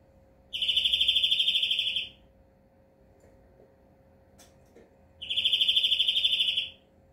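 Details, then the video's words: European greenfinch delivering two matching drawn-out buzzy trills, each about a second and a half of fast even pulses, separated by a few seconds of near silence. "Flurya Kuşu ötümü"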